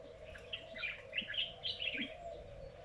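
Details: An unfamiliar bird calls in a lychee garden at midday with a short flurry of squeaky, twittering chirps, while a low steady hum drones behind it.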